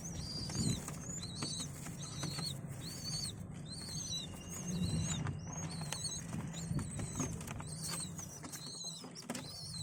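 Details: Adult pigeons feed their young, and the chicks answer with bursts of high, nasal peeping squeaks in short clusters, with pauses between groups, over a low droning background.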